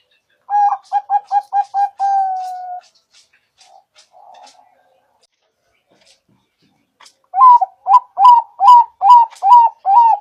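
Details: Zebra dove (perkutut, Bangkok and local types named) lure call for trapping: about six quick staccato coos ending in one drawn note, then a pause with faint soft notes, then another fast, even run of repeated ringing coos.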